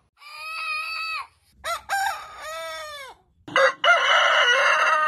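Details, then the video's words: Crowing roosters from a multi-breed compilation: a steady harmonic crow held about a second, a stepped crow with a rising start and long falling tail, then a harsher, buzzier crow sustained to the end. "Rooster crowing compilation | Rooster crowing sound effect | crowing of 50 breeds"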